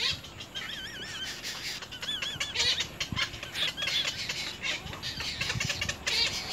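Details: Baby little egrets at the nest, biting their mother, utter clear undulating warbled calls, several in a row with short gaps, over faint background rustle.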